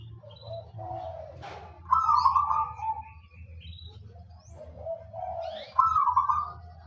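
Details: Actively singing local wild-type zebra dove giving two similar phrases about four seconds apart. Each softer purring lead-in jumps to a louder rolling trilled coo. Faint high chirps from other birds and a constant low hum run underneath.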